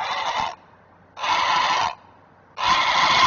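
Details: Alarm calls of a great blue heron parent guarding its offspring at a Chesapeake nest: three loud, rasping, noisy squawks, each roughly half a second long, separated by brief quiet gaps.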